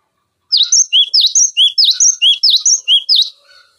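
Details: Cinereous tit singing a tutor recording meant to teach magpie robins and green leafbirds: about a dozen sharp whistled notes, a swooping high note alternating with a lower one, delivered steadily for nearly three seconds.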